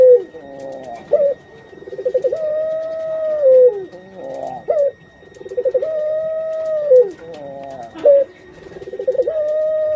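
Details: Breeding hen puter pelung dove, a caged pet close to egg-laying, repeats drawn-out mellow coos about every three seconds. Each coo starts with a quick rolling stutter, levels off, then falls, with a sharp upward flick between phrases.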